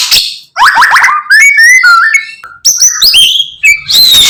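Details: Flycatcher, local name sikatan londo, singing in the wild: scratchy opening notes lead into clear whistled slurs, some rising and some falling, broken by short silences, with a final high buzzy flourish.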